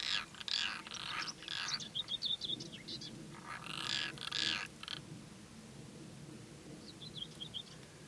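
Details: European roller during courtship: harsh, rasping broadband bursts repeated in short runs during the first five seconds, with faint thin chirps of other birds between them and a steady low background hum.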